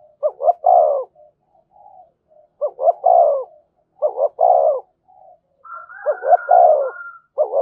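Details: Spotted dove singing in the thổ voice with thúc and kèm calls: four evenly paced phrases of a double short note plus a longer coo; a thin, higher whistled tone overlaps near the end.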